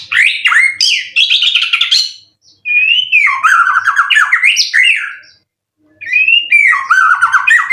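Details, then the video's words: White-rumped shama kept for song contests, caged, winner of 12 events, with song material full of cililin; loud bursts of warbling whistles and buzzy trills in three phrases separated by short pauses. "Burung Murai prestasian udh kondisi 90% materi full clilin siap turun Lg!"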